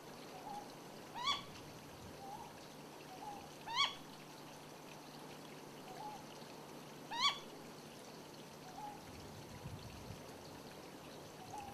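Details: Ryukyu scops owl on Yonaguni, Japan, male and female calls; the same bird is said to use both voices. Three sharp, rising single notes with bright overtones about every three seconds, softer low hoots between, over a faint steady hiss.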